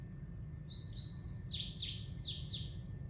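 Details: Indigo Bunting, a common Kansas summer bird, sings a long, complicated high, sweet run of notes in pairs: twin notes back to back, then a few buzzy downslurred doubles, over faint low hum.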